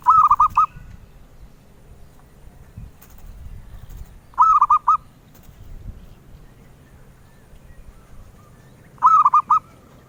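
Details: Melodious song of a zebra dove (perkutut), the voice collectors seek: three brief phrases of rapid trilled coos, repeating roughly every four and a half seconds over faint background noise.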